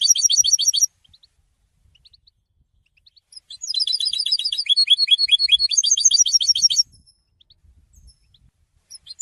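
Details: European goldfinch song: a short twittering burst, then a gap, then a long, loud run of quick liquid chirps and trills that drops and rises in pitch for about three seconds before breaking off.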